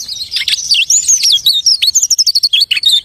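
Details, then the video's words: Short burst from a lark mimicking other birds: fluid high whistles sliding up and down, ending in a fast series of clipped repeated notes. "The lark imitates the singing of hundreds of birds."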